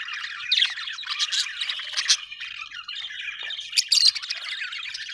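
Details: Budgerigars in noisy conversation: a rapid mix of chirps, clicks and grating squawks, with loud peaks around two and four seconds.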